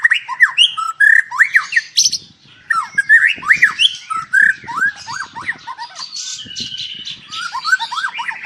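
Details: Captive-bred white-rumped shama at a breeding farm in Palembang, pouring out varied whistles, up-and-down slurred notes and harsh chatter, with faint low knocking noises beneath.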